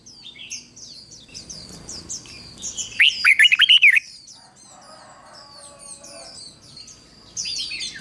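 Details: Red-whiskered bulbul used as a decoy singing to lure wild birds and spur other birds to sing: one loud burst of quick, rich warbled notes mid-clip, over constant high thin chirping from many other birds.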